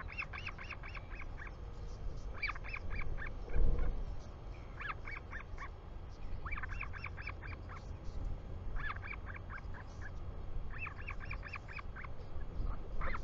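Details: Royal albatross at a live nest camera in New Zealand on 24 July 2020, afternoon, father home: repeated bursts of rapid, stacked yelping notes every couple of seconds, separated by brief pauses, a single thump near the start, steady wind throughout.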